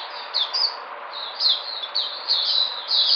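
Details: White-eye, or puteh, recorded 13 February 2020, giving high slurred twitters with short rising and falling notes over a hissy background.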